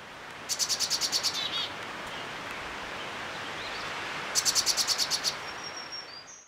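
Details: A Black-capped Chickadee parent, during the nestling stage, gives an alarm call warning of a predator such as a chipmunk near the nest: two fast bursts of about eight high, buzzy notes, several seconds apart, over background hiss.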